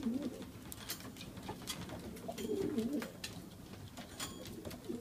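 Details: Racing pigeons in a breeding loft in Oradea, Romania, recorded 29 March 2015 while raising chicks 1-2 days old: low rolling coos at the start, midway and at the end, among sharp clicks and scuffling in the loft.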